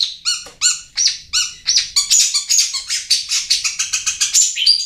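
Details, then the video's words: Long-tailed shrike of the Bomber Pamekasan line singing a fast, varied run of harsh chattering and clear whistled notes, about two or three per second, bright and high, with little background noise. "Suara Cendet Bomber Pamekasan"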